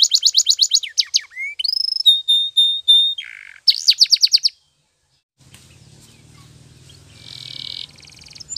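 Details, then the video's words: Canary song meant for training: fast pulsed trills, a level whistled note held about a second, another quick trill, then a pause and a faint low hum under softer song. "Your Canary Will Sing Immediately - Canary's Sound Training Every Morning"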